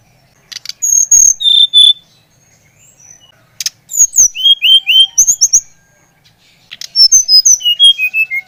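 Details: Brown-chested jungle flycatcher from Bali singing energetic phrases of sharp clear whistles, some paired, some sliding downward, in three bursts separated by short pauses.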